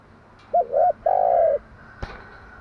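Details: A single phrase from a hen spotted dove at morning, used to prompt decoy doves to coo: two quick coos and one longer level coo, then a sharp click.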